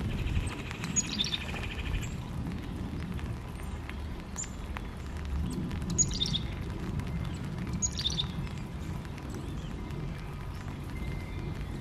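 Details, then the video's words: Backyard birds in Missouri, North America: bursts of high, sharp chirps and quick descending squeaks recur every couple of seconds over a low steady rumble of outdoor background noise. "Backyard Birds - North America"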